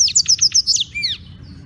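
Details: Black-throated canary from Beng, Gianyar, Bali, gives a fast series of about six evenly spaced high chips, then two arching, downslurred whistles, fading out over faint low noise.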